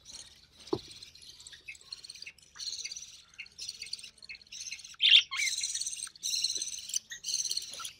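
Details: Young recessive pied budgerigar, sole surviving chick of three hatched early June 2020, fed by its mother; a rapid series of short harsh buzzing rasps, one every half second or so, growing louder and denser toward the end, one sharp click.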